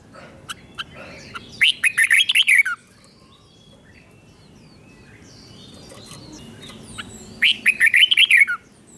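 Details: Two bursts of bright, bubbly warble from a red-whiskered bulbul doubling its song phrases, each burst of quick rising-and-falling notes about a second long. A long quiet gap with faint background hiss separates them. Played to young birds for copying.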